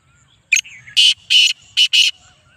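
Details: Loud call of a black francolin of the 'speeder' 'chakri wala' style: a short sharp opening note, a pause, then four broad, grating, rasping notes, the final pair run close together, delivered at close range.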